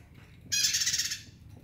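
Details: Bar-winged prinia singing energetically: a single dense, buzzy, rattling burst lasting about two-thirds of a second, harsh and high, over a faint low background hum.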